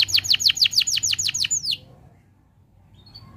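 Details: Canary tutor song used to get other canaries singing. Around ten sharp, descending whistled notes come quickly in under two seconds, then the bird falls silent.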